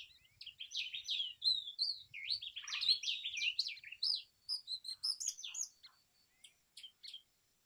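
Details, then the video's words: Brown rock chat, also called Indian chat, singing a fast, rambling warble of sweet, varied whistled and chirping notes, densely packed for about four seconds, then a few scattered, spaced chips trailing off before silence. No other sounds. "Brown Rock Chat Call ! Brown Rock Chat Song ! Brown Rock Chat Sounds ! Brown Rock Chat Voice"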